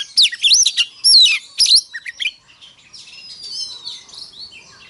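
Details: Oriental magpie-robin giving a fighting song in the morning to fire up others: two seconds of loud, looping whistles and scratchy notes, then fading into soft, faint twitters and a thin drawn-out whistle.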